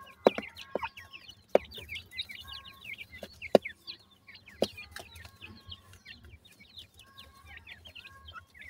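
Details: Several grey francolin chicks calling for their mother, a dense chorus of thin, high chirps that rise and fall, broken by sharp tapping clicks every second or two.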